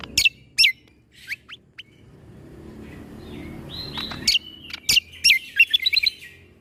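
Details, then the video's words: Cucak kombo leafbird song for tutoring young shamas: scattered sharp chirps with gaps between them, then a long bending whistle that breaks into a quick jumble of snapping notes. "Putarkan MAsteran Cucak Kombo Ini Agar Punya Karakter Suara Tembakan"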